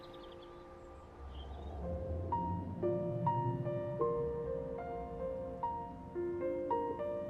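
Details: Slow, gentle piano music with sustained notes over a soft low background.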